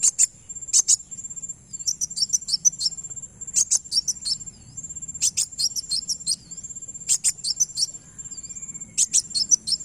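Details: Kowul bird calls used as a lure to attract other birds: clusters of very high, sharp, rapid chips repeated in bursts every one to two seconds, over a thin, steady, high-pitched ringing tone throughout.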